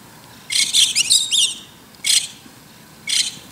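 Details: White-cheeked starling singing in the morning from an antenna: a rapid jumble of harsh, high chattering notes, followed by two short squeaky bursts about a second apart.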